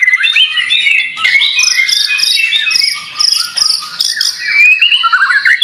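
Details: White-rumped shama kept as a fighter bird for singing contests, delivering a long, continuous outpouring of rapid chattering, squeaky notes and fast trills, with slurred whistles dropping and rising near the end.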